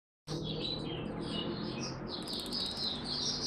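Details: Oriental white-eye, a kept songbird that slept late the previous night, giving high, thin twittering phrases in quick overlapping runs, with a steady low hum underneath throughout.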